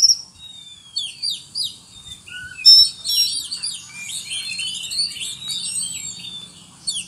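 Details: Rather soft Oriental magpie-robin song stuffed with cricket mimicry: thin falling whistles, scattered sharp chirps and a louder twittering burst near the middle, then steady high warbling.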